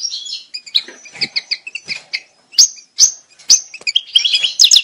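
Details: European goldfinch mating calls: scattered sharp chirps and short twitters with gaps between, ending in a denser flurry of bright notes.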